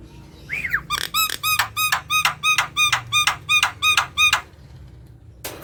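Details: Lively Javan myna song used to tempt mynas that rarely sing: a sliding squeal, then about ten ringing, nasal arched notes delivered in an even, rhythmic series, closing with a burst of noise.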